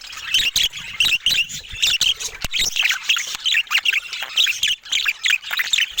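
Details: Budgerigars of various color mutations kept as pets, a group chattering continuously with dense high chirps, squawks and warbles overlapping, plus occasional sharp clicks.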